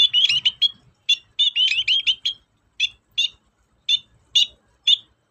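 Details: Long-tailed shrike sound used as a singing lure: rapid chattering of twangy, buzzy notes in clusters, thinning into single harsh calls spaced about half a second apart.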